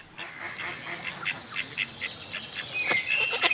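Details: Drake mallard in Switzerland chattering to his female mate in courtship: a quick, fairly even run of short, soft, nasal notes, about three a second, ending with a brief thin whistle.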